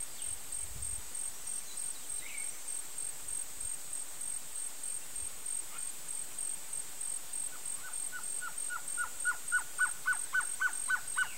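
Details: A male Blue-crowned trogon gives a run of about a dozen soft, evenly spaced mid-pitched notes, quickening and growing louder, over a steady high insect whine.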